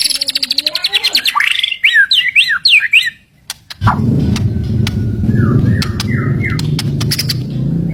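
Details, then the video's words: Caged white-rumped shama kept as a fighter bird, singing: fast repeated clicking notes, then loud swooping whistled phrases, a pause, then softer descending whistles over a steady low hum and sharp clicks. "burung murai batu fighter"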